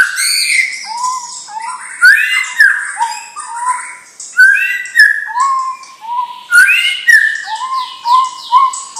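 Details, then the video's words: Loud, varied whistling from a white-rumped shama of a champion line, mixing rising slurred whistles, rapid higher trills and a lower note repeated several times in steady succession across the phrase. "Murai Batu Bibit Trah Juara"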